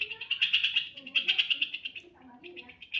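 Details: Sooty-headed bulbul (Pycnonotus aurigaster) song: a fast, bubbly run of high chattering notes for two seconds, a brief pause, then again, over faint low background noise.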